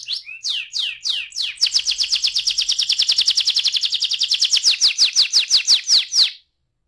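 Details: Canary singing ngeroll rolling song as a lure for other canaries: several drawn-out downward sweeps, then a long, fast, steady rolling trill that slows slightly before stopping abruptly.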